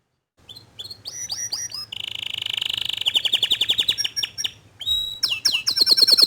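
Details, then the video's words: Young canary answering after hearing a loud, vigorous canary sing: a rapid varied song of sharp repeated chips, a long buzzy trill, then fast descending and rising notes in quick series, with a faint low hum beneath. "Kenari Paud Kenari Bahan Langsung Respon Setelah Dengar Kicauan Kenari Gacor Dor Ini"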